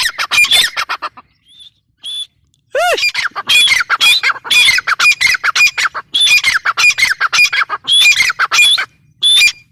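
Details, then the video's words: Grey francolin (teetar): loud, harsh, high squawking notes in rapid bursts of about two a second, with a short pause near two seconds, then resuming densely with fast, chattering repetition. "Teetar sound | teetar awaz | teetar ki awaz | gray francolin teetar sound"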